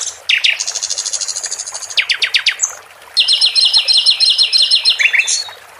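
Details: Sikatan londo, a caged flycatcher, pours out quick high rattles, a run of descending whistled slurs, then a second dense trill in stacked tones, lively and continuous, paired with trickling water to encourage other birds to sing.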